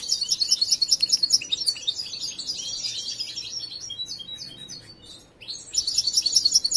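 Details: Young European goldfinch, seen from birth and still polishing its song, opening with evenly pulsed high trills, drifting into softer jumbled twitters, then returning to bright rhythmic trilling.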